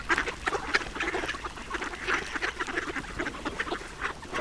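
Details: Rapid bursts of short nasal quacks from a duck at feeding, with a few squeakier notes near the start, evenly repeated throughout.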